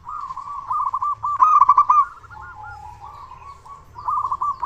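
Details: Loud zebra dove of a local strain, used to stir other doves into calling: continuous rolling trills of quick coo notes, louder at the start and end, softer in between.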